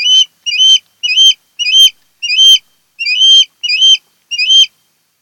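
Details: Nest-camera recording of a mated osprey pair on Kent Island, Maryland, 10 August 2018. Eight loud, piercing whistled cheeps with upward-slurred tails repeat steadily, roughly every 0.6 seconds, against a quiet background.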